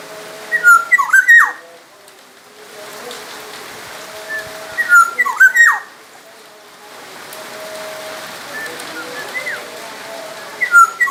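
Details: Black-naped oriole from Sumbawa, a lively, vocal bird used as a training model for other songbirds, giving short fluty whistled phrases with quick downward slurs, repeated about every four to five seconds over a soft background hiss.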